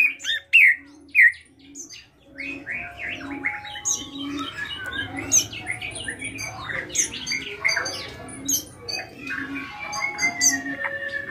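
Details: Active drongo song packed with fills: two loud sharp whistled notes open, then a dense jumble of chirps, buzzes and clipped high notes, with soft low pulses repeating beneath.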